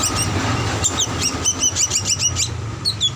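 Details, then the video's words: Juvenile drongo used as a master lure recording: short high whistled chips, some in quick pairs and loose runs, above a low droning hum. "Masteran Paud Srigunting Ampuh Buat Pancingan Dan Dijamin Cepat Bunyi"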